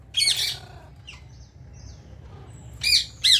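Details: Harsh, grating screech from ring-necked parakeets in India, then thin whistled notes between calls, and two more loud rasping squawks close together.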